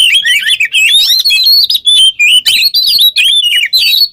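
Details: Oriental magpie-robin, locally kacer, singing continuously in gacor ngobra teler style as a masteran lure: a near-unbroken torrent of varied whistles, twittering trills and scratchy chatter.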